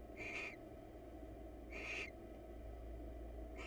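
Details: Wild barn owls in a nest box, a pair preening each other's feathers; two harsh, breathy screeching bursts about 1.5 seconds apart, a third starting at the end, with constant low background hum.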